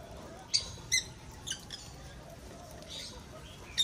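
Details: Breeding lovebirds kept in an aviary give short, harsh, high-pitched squawks, about five spaced unevenly over a few seconds, against a faint background rumble.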